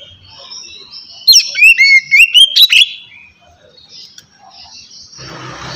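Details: Oriental magpie-robin singing the relaxed 'ngeplong' style to stir lazy birds: a brief, loud burst of wavering whistles and quick chirps midway, with quiet before and a rustling noise at the end.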